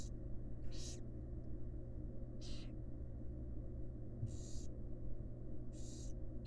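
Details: Wild barn owls in a monitored nest box, a female feeding her fledglings: five harsh, breathy hisses about half a second long, repeated every one to two seconds over a steady low electrical hum.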